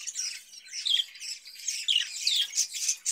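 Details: Captive budgerigars give high warbling chatter with a few clear downslurred whistles among scratchy twitters and squeaks, all close and continuous.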